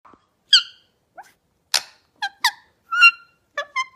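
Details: Pet parrot giving a series of short squeaky calls, some rising and some falling, spaced irregularly with quiet gaps in between.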